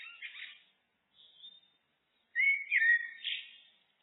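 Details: Blackbird (Turdus merula) song: a short warbling fragment, a faint thin squeak, then after a pause a loud, rich, mellow phrase that slides down and finishes in a scratchy, higher twitter.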